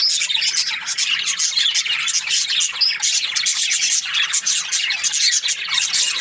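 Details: Budgerigars chirping together, a dense, continuous high chatter of rapid twittering notes and short squeaks with no pauses.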